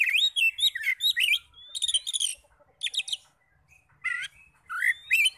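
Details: Oriental magpie-robin song used to provoke other magpie-robins into singing; bursts of varied whistled notes, slurred rising and falling phrases and harsh chattered notes, broken by short pauses.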